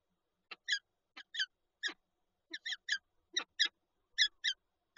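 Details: Peregrine falcon pair at the nest with an egg in Lublin, Poland, 19 March 2022: short harsh, buzzy notes, often in quick pairs, repeated about every half second to second against a silent background.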